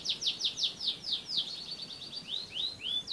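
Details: Canary from Central Java, Indonesia, singing a rapid run of high, downward-slurred chirps at about five per second, then a few slower, rising whistled notes near the end.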